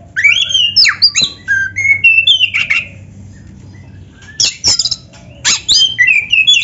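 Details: Black-throated magpie-robin (kacer dada hitam) in lively gacor song with canary-style fills, used as a training recording: rapid, varied whistled and chattering high phrases, loud bursts with a quiet pause midway, faint music underneath.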